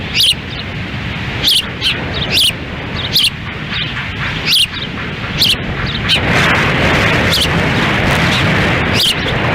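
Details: Ospreys at a nest in Lolo, Montana, on 10 June 2017: the female feeds chicks on a windy day while the male stands by. Sharp, high chirps repeat irregularly over loud, roaring wind that builds toward the end.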